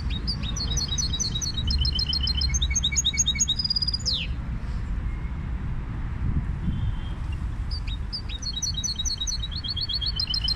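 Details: Goldfinch hybrid song in two bursts: a quick series of repeated high whistled notes and trills ending in a falling sweep, then a pause before the song resumes. Low constant hum underneath.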